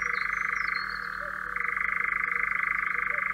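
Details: European Nightjar, Central Russia, churring in a dry, even trill that drops to a lower pitch midway and jumps back up after about a second. Faint bird chirps sound overhead.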